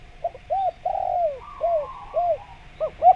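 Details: Single spotted dove phrase for luring wild doves: a few short coos, a long drawn falling coo, then spaced rounded hoots ending in quick paired notes.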